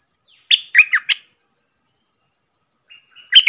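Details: Red-whiskered bulbul singing a bright phrase of four liquid, warbled notes. A softer thin whistle follows, then the start of another loud note. Faint insect ticking continues behind.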